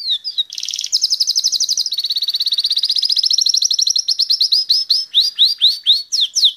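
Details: Belgian canary, a Santa Catarina bird, singing 'salsa': a loud, high, fast trill that shifts into a long even roll, then slows into separate rising, sweeping whistled notes near the end.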